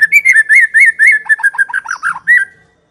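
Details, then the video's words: Lure song of a white-rumped shama to start other shamas singing: a fast chain of rich warbled whistles, slurring up and down, ending with a rising note. "Pancingan murai yang belum bunyi, sekali klik Auto nyaut"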